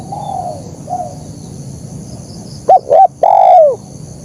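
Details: Spotted dove, KUK 1 style song. Faint distant coos come first, then a loud phrase: two short rounded coos and a long coo falling at its end.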